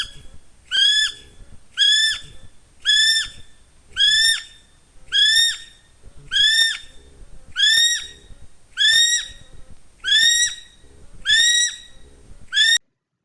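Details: A male North Island brown kiwi calling at night within 500 metres of Russell Wharf, New Zealand, gives about eleven shrill, rising-falling whistles, roughly one a second, against a quiet background.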